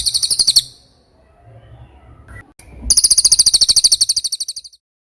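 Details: Velvet-fronted nuthatch (cililin) in clear training audio for songbirds: a brief rapid trill, a quiet pause with soft background noise, then a longer fast chattering trill that fades out.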